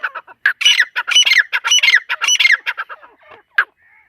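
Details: Partridge calls from a female teetar: a fast, scratchy string of squawks, some carrying whistled notes, fading out at the end.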